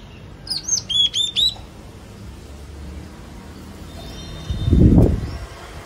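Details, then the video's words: Yellow-cheeked tit singing: a short series of four or five clear, high whistled notes with rapid downward inflections, followed by a low rumbling noise. "CHI CHI MÀO | CHIM BẠC MÁ MÀO | Yellow cheeked tit"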